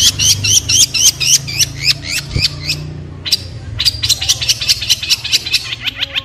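A long-tailed shrike sings quick, high, hooked whistled notes, about four per second, in two runs with a brief pause, over a low background hum.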